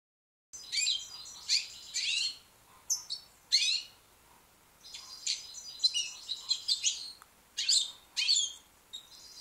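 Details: Young white British goldfinch singing: bright, high twittering phrases in quick bursts with liquid trills and short buzzy notes, separated by brief pauses.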